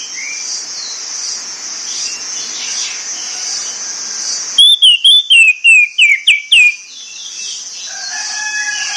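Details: Orange-headed thrush morning song: over a constant high hiss, a burst of about eight fast, loud whistled notes that dip and slide downward, followed by fainter steady tones.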